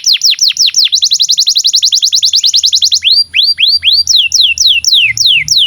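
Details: Canary singing, a long continuous song for training juvenile canaries and non-singing birds: a fast run of sharply falling whistled notes, then slower upward-swooping and downslurred whistles, loud and clean.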